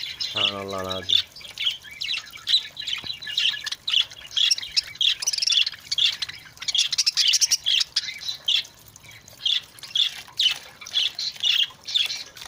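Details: Budgerigars bathing in water on a hot summer day chatter with rapid high chirps and warbles, about two notes every second.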